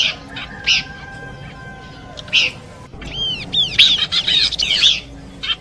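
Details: A few spaced chirps at first, then a dense run of arched, falling whistled notes from Horsfield's babbler, part of a combination song used to attract birds; low background hiss throughout.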